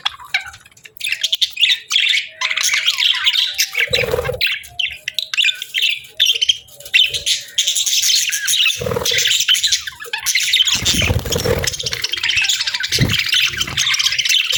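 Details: A flock of pet budgerigars keeps up lively, unbroken warbling chatter, raspy chirps and squeaky notes layered together, interrupted by a few dull low bumps and a short burst of rustling near the middle.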